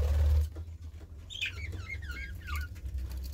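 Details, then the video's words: A budgerigar gives a run of clear chirps, several sliding downward, in quick succession after a loud low thump at the start. "Budgie Sounds"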